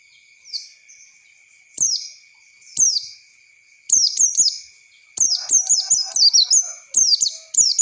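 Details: Oriental white-eye lure song for teaching young birds: sparse high thin chirps at first, then rapid runs of sharp descending whistled notes near the end, over a steady faint electronic whine.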